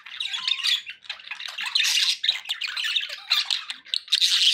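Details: Continuous harsh warbling from pet budgerigars indoors, buzzy squawks and chirps layered thickly, rising to loud shrill bursts near the close.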